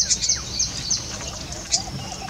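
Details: Two little green bee-eaters perched together on a branch in Jhalana, scanning for insect prey, give short high chirps at irregular intervals, a few sharper notes standing out, over faint low background rumble.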